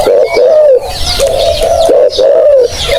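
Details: Spotted dove used as a lure, giving deep, smooth coos in quick succession, each slightly rising then falling, about three in three seconds, over a low rumbling background with faint higher bird notes.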